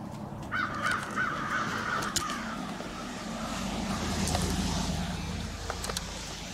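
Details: Crows gathering on Washington Street, Brattleboro, Vermont, in February 2021: a burst of harsh caws early on, followed by the rising rumble of a passing vehicle that covers the rest.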